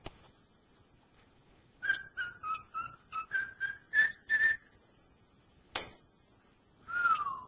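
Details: Indoor pet cockatiel, male, whistles a phrase of "Dixie": about nine crisp whistled notes in quick succession, rising to a held note, followed by a sharp click and a final falling whistle.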